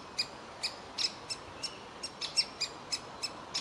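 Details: Nestling woodpecker sitting in its tree hole and calling to be fed, parents urging it to fledge; crisp high-pitched chips in a regular series, roughly three per second, over faint background hiss.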